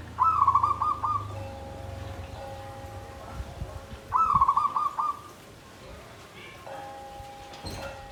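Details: Caged zebra dove in a bamboo cage, singing in the Klabang Kapipit and Tumpang Sari style rendered klarr kete kuk kuk. Two bursts of stuttering, bubbling low coos come about four seconds apart, with a steady low tone and rumble behind.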